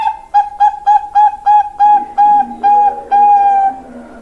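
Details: Bangkok zebra dove youngster singing a lure phrase: nine crisp, evenly spaced coos followed by a long held note, over a faint low hum near the end.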